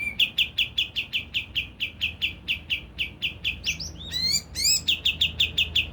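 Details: Javan grey-throated white-eye singing as a lure to provoke rivals: steady, sharp chipping notes, several per second, broken near the middle by a cluster of loud rising whistles before the chips return.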